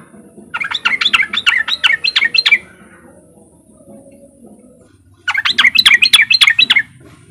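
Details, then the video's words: A sooty-headed bulbul sings riwik as a lure for other untrained bulbuls: two lively runs of about a dozen quick, bouncing chirps each, separated by a pause of nearly three seconds. "pancingan trucukan bahan biar cepat bunyi riwik"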